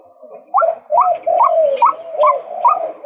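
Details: Loud calling of a male White-breasted waterhen: rising, slightly looped nasal notes alternating with drawn-out lower wavering tones, around two notes per second.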